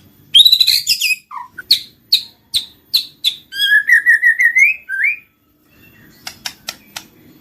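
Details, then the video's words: Lure song of a White-rumped shama meant to spark singing and mating: a harsh chattering opening, then a quick series of clipped notes and a climbing string of rapid rising whistles, ending in faint clicks. "PANCINGAN BURUNG MURAI BATU MACET BUNYI SEKALI PUTAR LANGSUNG NYAUT BUNYI AMPUH BIKIN GACOR"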